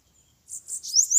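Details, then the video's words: Bananaquit fighting a rival, held by the legs during a campeada contest: after half a second of quiet, a burst of high, buzzy, rising and falling notes. "sibite brigando na campiada com a solta mais valente de Maceió"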